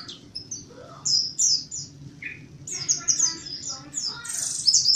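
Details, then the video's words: Lure song of a mountain white-eye in wild (ngalas) style: scattered high thin chirps and short slurred notes at first, building into a quicker twittering run, over a background of soft low rumble. "Suara asli pleci montanus gacor buka paruh pancingan pleci ngalas gacor nembak"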